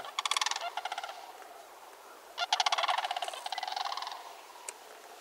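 Sandhill Crane giving loud, rolling, trumpeting rattles in two long bursts, each a rapid series of harsh, wooden notes.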